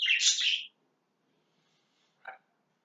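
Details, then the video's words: Pet lovebirds kept indoors, said to be trying to clear everything out of their house: one loud, harsh, buzzy screech of about 0.7 seconds, then quiet and a brief lower squawk near the end. "Love bird's"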